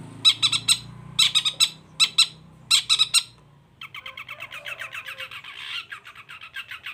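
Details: Long-tailed shrike in lively, full song: bursts of harsh, buzzy, stacked notes in groups of three or four, then a steady run of rapid scratchy chattering notes with a faint low hum beneath.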